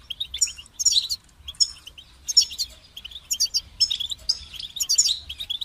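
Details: Goldfinch song phrases about every second: each a short, bright burst of tinkling and buzzing notes, with softer twitter between bursts.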